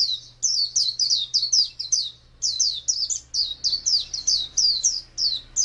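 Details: Oriental white-eye giving its wild-type ngalas song: quick high whistled phrases of looping, slurred notes, with a brief pause near the middle before the run resumes; faint low hum in the background.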